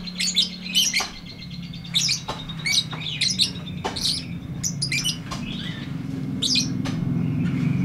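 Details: Lovebird performing a long 'ngetik ngekek' chatter for training stalled lovebirds. Rapid scratchy chirps come in clustered bursts over a steady low hum that grows louder toward the end.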